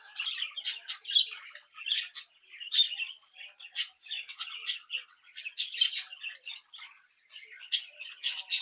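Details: Captive-bred budgerigar chicks chatter and sing together, a dense, continuous run of sharp high chirps and warbling notes mixed with buzzy squeaks, several birds calling at once indoors.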